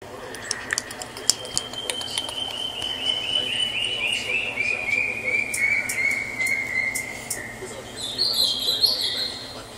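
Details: A juvenile crested partridge (Rollulus rouloul) gives a thin, high whistle that slides slowly downward over several seconds, with faint clicks and brief higher notes around it.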